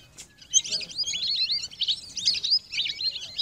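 Lesser whistling ducks give a steady stream of high, thin, twittering whistles that overlap, as if from several birds together.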